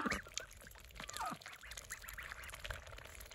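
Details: Saxony and Muscovy ducks and ducklings; a couple of harsh nasal quacks stand out early, with scattered softer calls and clatter after.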